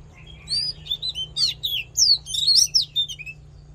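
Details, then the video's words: Fighting song of an Oriental magpie-robin for voice training and rousing males: a rapid sequence of bright, sweeping whistles and sharp upslurred and downslurred notes, varied phrase after phrase, over a quiet low hum. "Hót Đấu Kích Trống Căng Lửa || Luyện Giọng Chòe Than"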